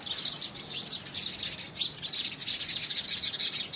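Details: Rival house sparrows fight over a handmade nest box, early February 2017: a packed stream of shrill, rapid chirps, rising and falling in loudness with a short lull near the middle.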